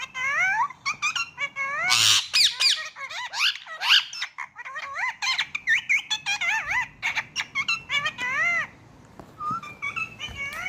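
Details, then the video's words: Indian ring-necked parrot talking indoors: long string of squeaky, speech-like mimic syllables with bending pitch, a brief loud squawk burst near the start, then quieter clicks at the end. "Indian ring-necked parrot talking parrot"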